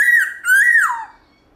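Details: A black-throated laughingthrush gives two strong whistled phrases in its forest-style morning song. The second is held level, then slides downward and fades into quiet.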